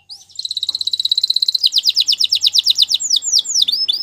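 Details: Belgian canary song for training canaries: a steady rolling trill lasting over a second, then faster, louder sweeping notes repeated in a lively series.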